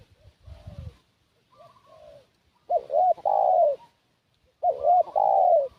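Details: Spotted dove decoy luring wild doves. Two loud cooing phrases, each a wavering doubled note leading into a long drawn coo, come after faint softer coos and low thuds.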